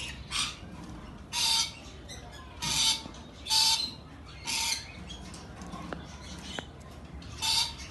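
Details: Rainbow lorikeet screeching repeatedly, harsh grating bursts roughly once a second, eight in all, with a couple of faint clicks between them and low background rumble.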